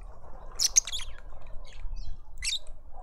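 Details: Lovebirds at a feeder in a suburban garden in Pretoria, South Africa: a quick burst of shrill, harsh chirps, a short pause, then another sharp high squeak over a low background hum.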